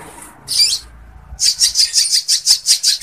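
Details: Lovebird song used for training other birds and raising breeding drive: a short scratchy chirp, then a fast, energetic chattering stream of harsh, buzzy high notes, about five each second.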